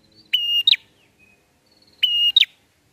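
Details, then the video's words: Song of a bar-winged prinia as a trapping lure: two phrases of a level shrill whistle ending in a snappy two-part chip, about 1.7 seconds apart, no other sounds. "PRENJAK NGALUN AHLI BUAT MIKAT"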